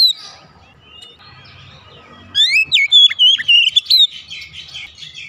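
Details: Caged household Oriental magpie-robin singing: after a quiet start, a loud burst of clear, sweet whistled phrases, rapidly rising and falling, with sharp high notes mixed in, lasting about three seconds.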